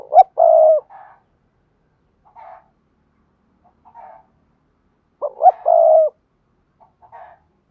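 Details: Spotted dove giving "thúc gù" coos, used to train new doves to coo. Two phrases about five seconds apart each have short hoots leading into a long, even, low note, with quiet faint notes between.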